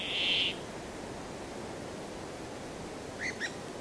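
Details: Brambling singing one harsh, nasal buzzing note at the start, followed moments later by a pair of brief, thin chirps against a constant low hiss.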